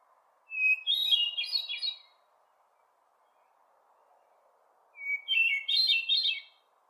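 Hermit thrush singing two phrases about four seconds apart, each a clear held whistle breaking into a swirl of higher, flutelike notes, over a low steady hiss.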